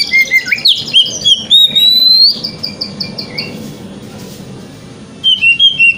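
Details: Oriental magpie-robin, called kacer, singing a wikplong lure for morning tail-opening therapy: strong rising whistled notes and a long clear drawn-out whistle, fading to quiet, then a fresh burst of bright chirps.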